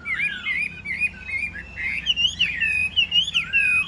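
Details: Chinese hwamei in captivity on a rainy morning, delivering a continuous, melodious warble of rising and dipping whistles that grows louder and more varied toward the end.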